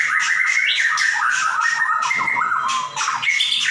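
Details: Caged white-rumped shama singing a loud, busy song for training other birds: rich whistled phrases mixed with harsh buzzy bursts, notes sliding between mid and high pitch, continuous with barely a pause.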